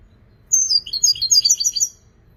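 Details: European goldfinch delivering one energetic burst of high, tumbling twitters and buzzy trilled notes lasting about a second and a half, loud against a quiet background.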